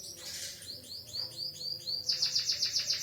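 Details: White-headed munia singing canary-style song: a brief burst, then a series of clear downward-arching whistled notes that speed into a sharp, rapid high trill.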